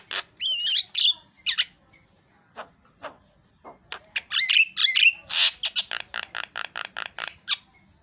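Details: Javan myna, called jalak kebo, singing: squeaky whistled notes, harsh rasping bursts and clicking chatter in an uneven series, with faint low background hum.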